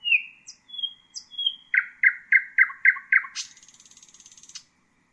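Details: Common nightingale singing a varied phrase: long whistled notes, then a run of loud repeated chopping notes about five a second, closing in a fast rattling high trill. Clean background, no other birds.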